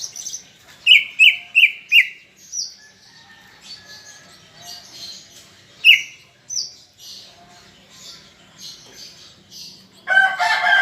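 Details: Greater green leafbird in full song, used to get other leafbirds singing: four quick descending whistled notes, scattered high chatter, a lone sharp whistle, and a harsh noisy burst at the end.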